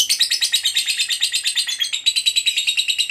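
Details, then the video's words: Fighter lovebird delivering a long ngekek chatter to lure other lovebirds: dense, harsh, buzzy pulses repeating about three times a second, with one brief break near the middle before the chatter resumes. "Suara Burung Lovebird Ngekek Panjang Memanggil, Pancing Labet Apapun Rajin Ngekek"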